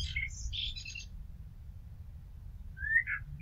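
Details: Common blackbird song: a short fluty phrase ending in a high scratchy twitter, then a long pause before a rising whistled note begins the next phrase; low background rumble throughout.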